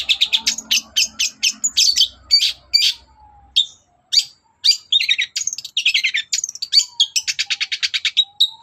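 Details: Long-tailed shrike singing in the morning to make other birds answer, with a varied, fast song of rasping notes, whistled slurs and a long trill of rapidly repeated ticking notes near the end.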